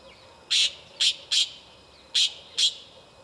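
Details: White-banded mockingbird recorded in Córdoba in August 2010: five short, harsh, broadband notes in an uneven series over about three seconds, two close together, then a pause, then two more.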